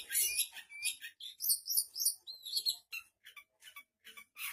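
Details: Long-tailed Shrike giving a varied song full of imitations of other birds: loud whistled and buzzy phrases first, then quieter, spaced high chips.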